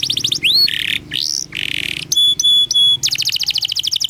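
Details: Canary training song for young birds: fast chattering trills, rising slurs and buzzy rolls, steady pure whistles, then a rapid trill, with a low hum underneath.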